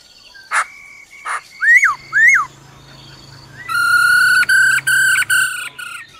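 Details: Black-throated laughingthrush, forest-style song with the female's rolling trill: two clicks, two arched slurred whistles, a quiet spell with low hum, then a bright pulsed harmonic phrase.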